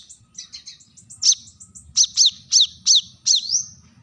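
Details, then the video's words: Kolibri kelapa, the brown-throated sunbird, in a sharp rival-calling call: soft high twittering notes lead into loud downslurred piercing chips, repeated about every third of a second, with a low murmur underneath. "kolibri kelapa | manggar | wiceh | suara tajam memanggil lawan"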